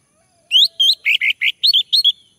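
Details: Male orange-headed thrush singing, used as a lure to prompt another male to sing: a rapid run of about eight sharp notes, first rising whistled slurs, then rougher buzzy chirps and doubled whistles, on a quiet background.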